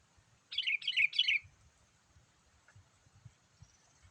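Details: Sooty-headed bulbul, a lively gacor call used to lure wild bulbuls: three quick bubbly, chirping phrases in one burst, each dipping downward, then quiet with faint low rumbles.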